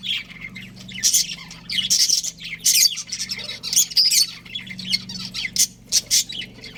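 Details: Budgerigars kept as a breeding pair make harsh squawks mixed with thin whistled chirps in scattered bursts, some louder than others, over a low continuous hum.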